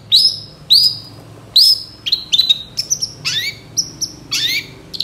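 Long-tailed shrike giving a busy, varied song of sharp rising whistles and scratchy, buzzy notes, delivered in quick bursts with a faint low hum behind.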